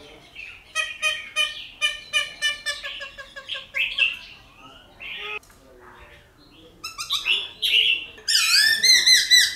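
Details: Silver-eared laughingthrush song meant to stimulate captive birds to sing: series of fast repeated clipped notes in bursts, interspersed with harsher squawky phrases and high warbled notes, varying in loudness.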